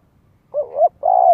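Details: Spotted dove luring wild rivals to fight, Vietnam: two deep cooing notes, the first rising and swelling, the second long and level with a slight downward ending, nothing else audible.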